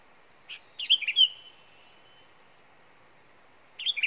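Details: Sooty-headed bulbul, an original-sound lure recording: a quick bubbly phrase of four or five liquid, chirping notes with a brief rising whistle, then quiet with a faint steady high ringing and another phrase starting at the end.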